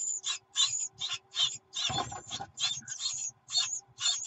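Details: Nestling Great tits begging for food from their mother, 24 June 2019: loud, scratchy, hissing calls in short bursts, interrupted around the middle by a brief rustling scuffle.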